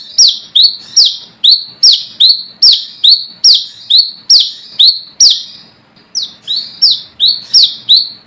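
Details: A forest brown-throated sunbird challenges rivals with a luring call: a long run of shrill descending notes, each ending in a buzz, about two and a half per second, broken once by a short pause.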